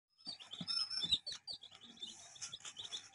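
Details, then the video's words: Many baby chicks chirping together, a dense overlapping flurry of high, thin peeps that keep coming in quick irregular bursts with no pause. "Chick Chirping"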